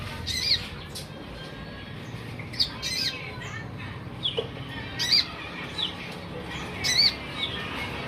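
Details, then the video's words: Olive-backed sunbird song: short, high, sharp chirps and twittering notes in bursts every second or two, with steady background hiss. "konin gacor harian"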